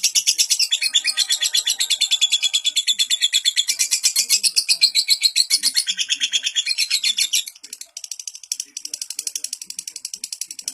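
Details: Lovebird giving a long, unbroken chattering song, meant as a model for young birds: dense, shrill, buzzy notes pulsing rapidly for about seven seconds, then fading into quieter, scattered high chirps.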